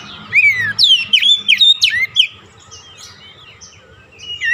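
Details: Oriental magpie-robin singing a lure song for a stressed, silent bird: a string of loud, sweeping whistles, mostly steep downward slurs, at a rapid pace, followed by quieter scratchy warbling and a final note.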